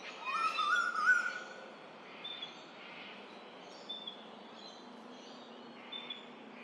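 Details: A male Eastern Koel, the 'rainbird' that calls on arrival each spring, gives one loud, rising whistled call across the Lane Cove River valley, Australia, followed by quieter chirps from other birds and steady background noise.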